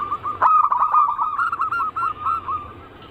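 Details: Anggungan-style cooing of zebra doves, played as a lure to draw other birds: a dense run of quick, rounded coos that starts loud after a click and slowly fades toward the end.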